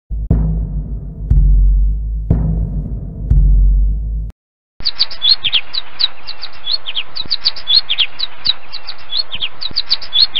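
Finches trade quick, high, thin chirps, several birds overlapping in a busy chatter. A few seconds of deep rumbling noise with dull thumps come before them.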